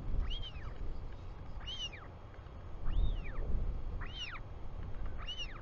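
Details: Afternoon of 24 July 2020 in New Zealand, a Royal albatross chick calling to its returning father; five loud arched whistles at irregular intervals against a rumbling windy background.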